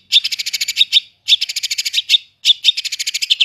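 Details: Long-tailed shrike singing in a fast, tightly packed rolling style: three bursts of rapid high chirps, each about a second long with short gaps, bright and even, with a quiet background.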